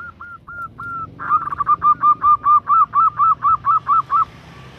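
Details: A female zebra dove calls to attract a male, giving a few spaced, slightly bending hoots, then a quick run of a dozen similar mid-pitched notes at about four per second.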